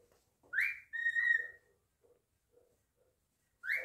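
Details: Pet cockatiel indoors giving a wolf whistle: a sharp rising note, a pause, then a long level whistle, with soft clicks after and the rising note starting again at the end.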